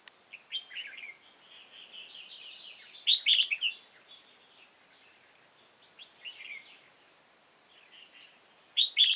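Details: Red-whiskered bulbul song during a 5 October 2018 trapping session with a pair of female decoys: bright, slurred warbling phrases, a loud burst near the middle and another at the end, with a constant high whine behind.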